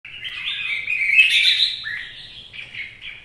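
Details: Red-whiskered bulbul singing in the rain, a bright, bubbling run of warbled and chattered notes rising and falling in quick phrases, with nothing else clearly heard.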